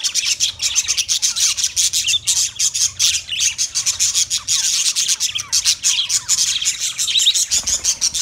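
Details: Budgerigar, an Australian parrot, chattering loudly and steadily, a rapid pulsing stream of high buzzy warbles and squeaks delivered in quick regular beats without pause.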